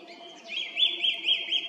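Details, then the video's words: Treetop song thrush near the Krasnye Ozera road, Zarechny, 18 April 2021, evening: a loud, clear run of four quick identical rising-falling whistled notes, evenly spaced, after a softer lead-in. "Певчий дрозд 18/04/2021 вечером (18:50) поёт на макушке дерева у дороги на Красные озёра в Заречном."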